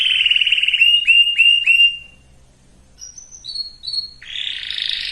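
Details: Singing canary for breeding preparation. Several rapid trilled rolls of high notes, a short silence, then thin whistled notes and the start of a rasping buzzy phrase.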